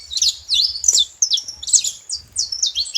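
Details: High, bright chirps and quick downslurred notes from saffron finches at a feeder. The notes come in close bursts with a light low background hum.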